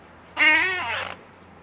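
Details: Pet female parrot saying the word "no", her only chosen phrase: one rich, nasal, harmonic utterance of about three-quarters of a second that rises and then falls in pitch, in a quiet room.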